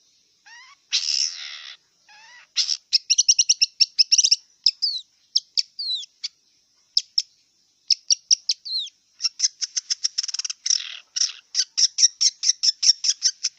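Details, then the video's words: Wild long-tailed shrike singing a varied, chattering song: harsh buzzy notes, rapid clicking bursts and sharp slurred whistles, with dense trains of quick repeated ticks toward the end; a steady high hiss runs underneath. "Kicau cendet liar"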